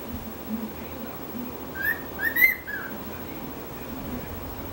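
A cockatiel gives a brief burst of clear, slightly rising whistled notes over a low steady hiss.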